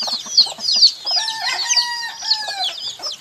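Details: Baby chickens give dense, high, shrill peeps, some clipped and sharp. Midway, a few drawn-out, lower, steady whistled tones with harmonics run under the chorus.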